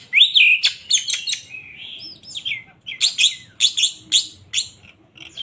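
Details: Agitated Oriental magpie-robin of the kacer poci type, a kept Indonesian songbird, delivering a loud whistled phrase followed by a run of sharp, scratchy chattering notes repeated in quick succession, with short whistled twists between them.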